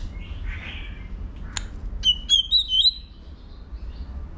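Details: White-rumped shama stimulated to sing for competition: a short, high, twisting whistled phrase introduced by two sharp clicks, over quiet background hiss.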